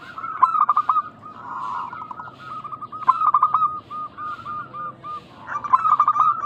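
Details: Constantly singing local zebra dove, played to coax other doves into calling back. Three cooing phrases arrive about 2.7 seconds apart, each a rapid stutter running into a line of soft rounded coos.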